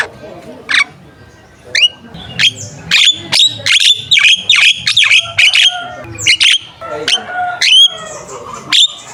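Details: Javan myna (jalak kebo) lure song for contest birds: a dense run of loud sharp clicks and high whistled notes, varied and rapid over several seconds.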